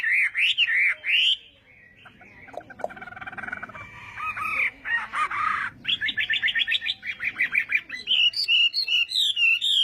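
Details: Chinese hwamei morning song used for voice training: varied rich phrases of warbled and buzzy notes, shifting quickly between rising whistles, harsh bursts and rapid repeated chips.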